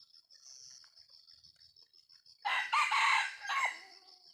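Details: A 'jalak' junglefowl crows after a quiet stretch of insect drone: a loud, gravelly phrase in three quick linked parts, ending with a short, softer tail note.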